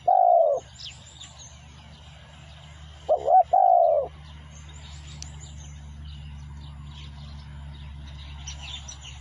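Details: A spotted dove sings as a lure, with two hoarse rolling coos in the first four seconds. A steady low hum follows and continues beneath faint, scattered high chirps.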